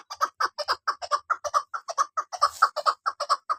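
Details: A female chukar partridge repeats throaty, clucking chuck calls in a brisk, regular rhythm, with a faint low thump partway through.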